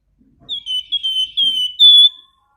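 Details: Flamboyan singing actively with loud, clear whistles: one phrase of four or five drawn-out, slightly falling notes that ends on a higher, brighter note, with a faint low rustle beneath.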